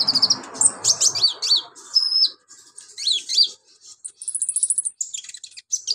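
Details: Energetic sunbird singing as a master song for training other birds: rapid high twitters and quick down-slurred sweeps, short gaps, then a fast buzzy trill of tiny repeated notes and more scattered chirps.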